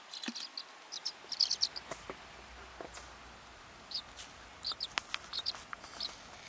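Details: Tree swallow chicks in a nest box, about 3 to 5 days after hatching: thin, high peeping chirps come in short bursts around the second-and-a-half mark and again between four and six seconds, over soft clicks and faint hiss.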